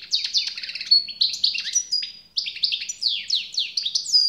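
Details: European goldfinch singing: rapid tinkling twitters and buzzy descending notes in fast bursts, a brief pause near the middle, then more liquid chattering phrases, clean with no other sounds.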